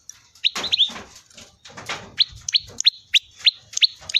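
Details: Prinia giving its typical 'ceng-ceng' song: sharp, bright high chirps repeated about three times a second in a steady series, preceded by rustling, scratchy noise.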